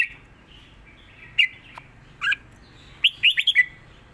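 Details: Southern Thai pattern song from a caged red-whiskered bulbul, recorded to teach birds: sparse single whistled notes at first, then a fast closing phrase of four or five liquid, slurred notes.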